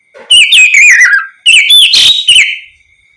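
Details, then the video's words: Kacer, the Oriental magpie-robin, delivering open, ringing ngeplong phrases meant to draw replies from other magpie-robins; two strong whistled bursts with slurred descending notes, a harsher note in the middle, and a fading tail. "Terapi suara Kacer ngeplong untuk pancingan Kacer apapun agar ikut bunyi nyaut gacor"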